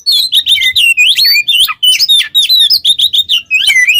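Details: Oriental magpie-robin (kacer) in lively ngobra teler song used as a master lure: loud whistled notes that rise and fall, quick chirps and scratchy phrases in rapid succession.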